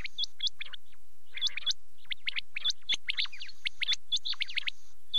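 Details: Quail at night giving quick, high, sharply hooked whistled notes in clusters, interspersed with short chattering bursts and pauses, several notes overlapping near the end.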